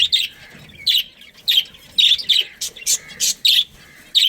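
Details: Budgies of a breeding colony give loud, bright chirps roughly every half second, some harsh and squeaky, with quiet pauses between.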